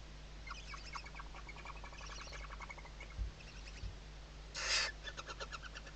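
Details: Western barn owl family at a webcam nest, chicks under mom's wings, Riet Vell reserve, Spain, 2023: soft scattered chittering notes, a half-second broadband hiss near the end, then short repeated clicks over low hum.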